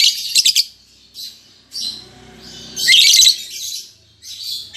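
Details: Rapid stuttering shrill chirps open, then grating squeaky chatter peaks midway, from a caged, newly matched lovebird pair: albino MM male and lutino MM female.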